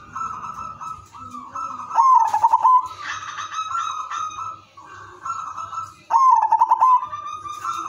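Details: Song of a zebra dove used to encourage other doves to join in, with two loud rolling bursts of quick clipped notes, each flowing into a long mellow coo, and softer cooing from other doves in between.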